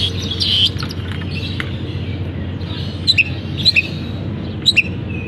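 Long-tailed shrike giving sharp, high chips and short twittered phrases in bursts about every half second to a second, mimicking other birds, over a steady low hum.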